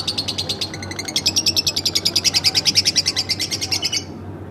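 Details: Pet lovebird kept at home, singing in a fast trill: a long run of even, high chirps repeated about three times a second for four seconds, then stopping; faint room hum below.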